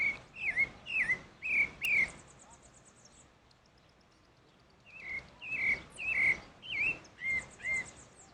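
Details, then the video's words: Outdoors, a pale-breasted thrush sings bursts of fluty downslurred whistles, about two per second, breaks off briefly in silence, then starts again, with a faint high buzzy trill behind. "Sabiá barranco cantando na natureza"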